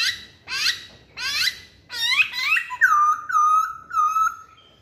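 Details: Masked laughingthrush giving a lure song: several loud, harmonic rising calls in quick succession, then a run of clear, level whistled notes near the same pitch, repeated about once a second. The room is otherwise quiet.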